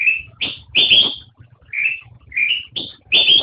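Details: Black-crested bulbul (kutilang emas) song heard close: a sliding whistle, then a sharp note and a strong ringing note, the pattern repeated twice in quick succession over a soft low hum.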